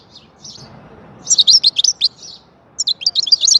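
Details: European goldfinch song: a soft chirp, then a dense tinkling twitter of rapid high notes, a pause, and a second lively burst of ringing chirps.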